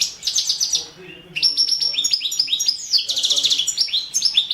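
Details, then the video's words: Competition recording of a Carduelis carduelis balcanica goldfinch from the 2017 world championship in goldfinch song; quick rattling trills lead into a dense, continuous run of sweet twittering and buzzy notes. "Pesma štiglića 014/ 2017 Stefan Sapunarov World championship in Goldfinch Song 2017"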